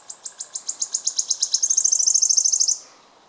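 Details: Wood warbler (Phylloscopus sibilatrix) song: a run of high, thin ticking notes that speed up into a dry, shivering trill, ending after about three seconds.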